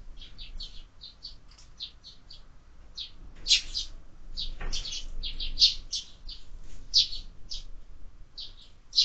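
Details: At a window-mounted feeder with year-round feeding, sparrows keep up a busy string of quick chirps, some in rapid pairs, with a brief flutter or knock near the middle.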